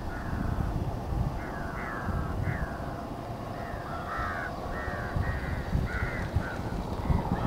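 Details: Large-billed Crow at Sillod on 19 07 23 giving a run of hoarse, slightly bent caws, several a second at times, over a steady low rumble of wind or distant traffic.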